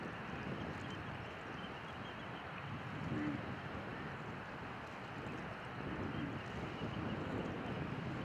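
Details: Steady wind buffeting the microphone and surf rolling on a shore near Rålehamn outside Torekov, with no clear animal voice.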